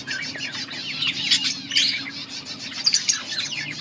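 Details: Pet budgies, a yellow pair, keep up a continuous soft, scratchy warble of wavering chirps with a few sharper accents, over a low background hum.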